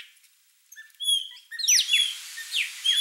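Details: Chopi blackbirds in a flock at a feeder: sparse high whistled notes, then a loud burst of steep downward-slurring whistles and ringing tones, several overlapping, with a steady hiss of background chatter.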